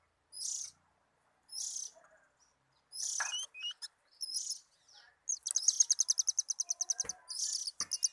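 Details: Oriental magpie-robin (kacer) enjoying itself in song: spaced harsh hissing notes, a brief whistled upslur, then a long rapid stuttering rattle of high chips, closing with more scratchy bursts and a few clicks.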